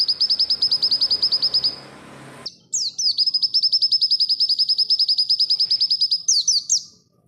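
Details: Oriental white-eye (pleci, 'barbara' type) song used as a master recording for training other birds: long runs of fast, even, high chirps, about three per second, broken by a pause and a few sliding squeaky notes.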